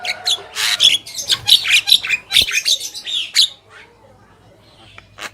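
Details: Harsh, buzzy squawks and bright whistled notes crowd together in a dense, irregular stream from a male and female black-winged myna, then fade into near silence.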